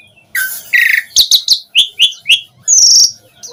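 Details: Asian pied starling lure song for getting other starlings to sing back: a couple of harsh notes, then six short sharp chirps in a row and a high drawn-out whistle.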